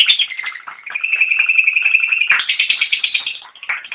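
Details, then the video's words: Lovebird ngekek: a high, drawn-out whistled tone holds steady for over a second, then breaks into quick, scratchy chattering pulses, ending with a brief separate note. "PESONA LOBET SEDANG NGEKEK PANJANG"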